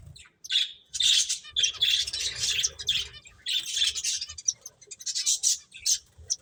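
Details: Playing finches chirp in quick rhythmic bursts: clusters of sharp, high tweets about every half second, with short whistled notes inside them and brief gaps between the bursts.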